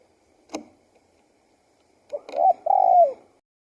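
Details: A single click, then after a pause a spotted dove sings one phrase: short hollow notes running into a drawn-out, slightly falling coo.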